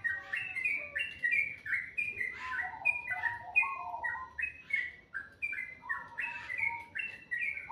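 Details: Morning birdsong: a steady run of clear whistled notes, each bending down slightly, alternating between higher and lower pitches, with a few brief sharp chirps mixed in.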